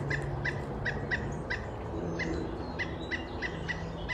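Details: A Pileated Woodpecker foraging in backyard bushes gives about a dozen short, clipped, mid-pitched wuk notes at an uneven quick pace, not its loud typical call, likely communicating with a nearby mate, over a low steady rumble.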